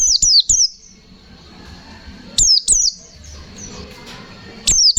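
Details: White-eye delivering lively fighter-style 'ngalas nembak' song: a quick triple of high falling whistles, then two more bursts of sharp down-slurred notes, with quiet low background in between.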